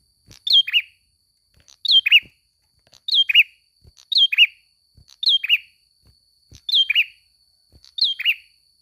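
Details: Ashy prinia repeating a two-part phrase, a high slurred chip then a lower rasping note, about once every second and a quarter, seven phrases in a row over a thin steady high tone.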